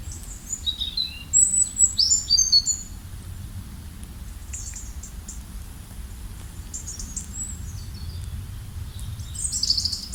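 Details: Birds chirping in a natural setting: bursts of high, thin, sweeping chirps and twittering notes, clustered early and again near the end, over a low rumbling background.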